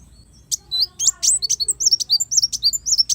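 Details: Sunbird (kolibri wulung) song used to train songbirds: a lively, tumbling series of high, thin, slurred chirps delivered quickly with little pause.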